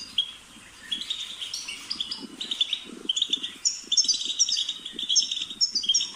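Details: European goldfinch song of bright, quick chirps and twittered phrases, with soft low tapping or fluttering sounds audible beneath the singing.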